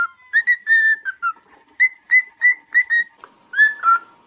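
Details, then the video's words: Cockatiel kept as a pet, whistling a quick series of short, even notes at a steady pitch, about three per second, with one rising slur near the end and a faint steady tone underneath. "Training Cockatiel to singing"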